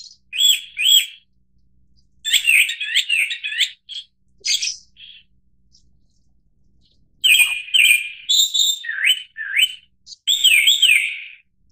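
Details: Japanese thrush (Turdus cardis) delivering long varied songs of rapid fluty whistles, repeated slurred notes and high twitters, in two bursts separated by a short quiet spell.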